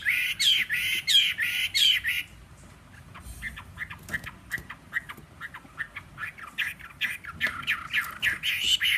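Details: Caged wild-caught Chinese hwamei, a fighting bird kept three seasons, singing on a table with a slightly hoarse voice; loud harsh rasping phrases repeated in bursts, then a stretch of quick scattered chips and clicks before the rasping resumes.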